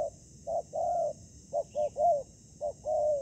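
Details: Spotted dove at a ground trap, with a decoy bird up against fierce wild doves. It gives a run of low coos: short hoots and longer drawn notes, including a quick double hoot before a swelling coo, about eight notes in all.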